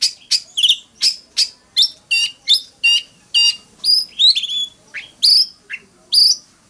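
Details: Oriental magpie-robin in fighting song, forest-voice style, meant to rouse males to sing: a steady series of short, buzzy chip-like notes about three per second, mixed with occasional pure whistled slurs.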